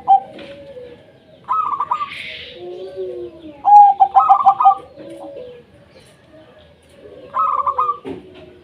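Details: Local wild zebra dove singing constantly, played as a lure to get lazy doves singing: three bursts of quick staccato coos, with a low note run and a higher rolling trill, separated by quieter gaps with faint other coos.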